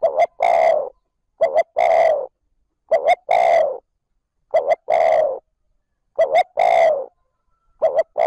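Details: Spotted dove calling steadily in the 'trơn ròng' style, meant to stimulate and lure wild doves quickly. Six phrases each open with two short clipped notes and end in a longer hoarse coo. The rhythm is regular, about one phrase every one and a half seconds.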